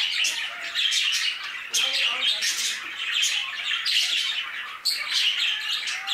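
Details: Budgerigars in an aviary fill the air with loud overlapping chatter, scratchy squawks and chirps in bursts, and a sudden sharp click near the end.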